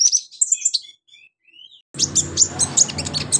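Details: Konin sunbird master song: high twittering and soft whistled notes, including a rising slur, then after a short gap a fresh burst of sharp rapid chirps over a low hum.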